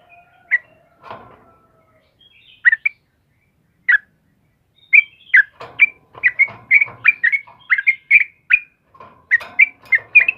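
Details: Morning song of a sooty-headed bulbul, trucukan kebo: a few scattered chirpy whistles at first, then a quickening run of bubbly, slurred whistled notes repeated rapidly. Faint low knocks are heard in the background.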